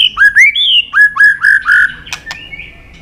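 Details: White-rumped shama training song: repeated rising whistled notes, roughly two per second, each sweeping up then levelling, ending with sharp clicks and a thin sustained whistle.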